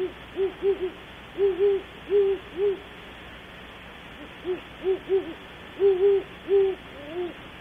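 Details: Deep hooting from great horned owls at Audubon Starr Ranch, California, starting up near 3 am: clusters of two or three mellow hoots, several with a slight double hump, repeated in bursts with short pauses, over constant faint hiss.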